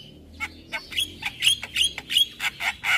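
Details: Morning Javan myna, recorded as a tutor for other birds, delivering a string of short scratchy notes repeated about every third of a second, with thin whistles on top.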